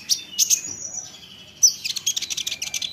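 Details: Olive-backed sunbird song used to provoke other sunbirds into answering: sharp, very high chirps early on, a thin sustained whistle, then a fast burst of clipped high notes in the last second.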